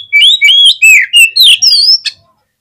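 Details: Oriental magpie-robin in fast, agitated song used to provoke other birds: six loud, tightly spaced phrases of rising and falling whistles ending in a high clear note, with no other sounds.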